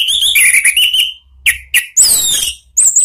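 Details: Orange-headed thrush singing ngeplong lure song for training cage birds: varied whistled warbles, two short separate chirps, then a dense high twittering phrase and a final high whistled note.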